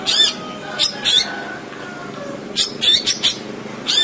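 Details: Long-tailed shrike singing a song packed with fill phrases: loud, harsh, rasping bursts at irregular intervals, with a faint thin whistled note between them and a continuous background hiss.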